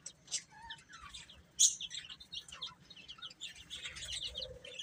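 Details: Young chickens chatter in high, quick, downslurred chirps, many overlapping, with one louder piercing peep and faint low rustling underneath.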